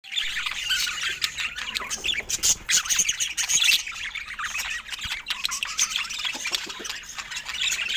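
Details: Rare budgerigars filmed in natural Scandinavian light give a dense, continuous stream of high chirps and squawky twitters. The busy chatter overlaps throughout, with no music or speech.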